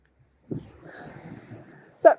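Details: A 29-year-old pet Moluccan cockatoo on a windy outdoor walk talks in a husky, speech-like burst, then gives a louder, sharper word near the end, with a low rumble of wind throughout.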